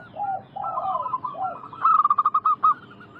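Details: Zebra dove singing on a lure track meant to make wild doves respond. Mellow rising-and-falling coo phrases build into a fast series of loud, evenly spaced staccato notes at the end.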